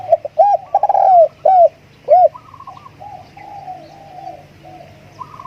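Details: Spotted dove decoy calling: a run of loud hollow coos, several short notes then a longer rolling one, followed by softer, more distant cooing from other doves.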